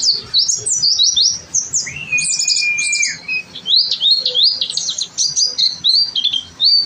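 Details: Oriental white-eye singing gacor for a masteran: quick high twittering broken by a flat, held lower whistle around two to three seconds, then renewed rapid chirps.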